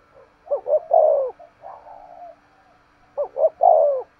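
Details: Spotted dove in energetic 'thúc gù' cooing. Two phrases, each of two short clipped hoots and then a longer, throaty coo that slides downward. Faint murmuring notes fill the pause between them.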